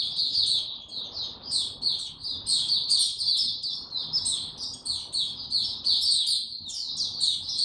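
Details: Kept white-eye on 29 April 2022, given no supplements, pouring out a fast, high, chattering warble of crowded chirps and trills, with steady low background rumble.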